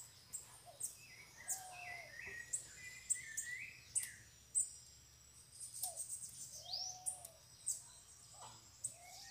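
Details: Several free bananaquits coming to a caged bird during a campeada lure session: scattered very high thin ticks and chirps, with lower slurred whistles and short warbled notes between them, over a steady low hum.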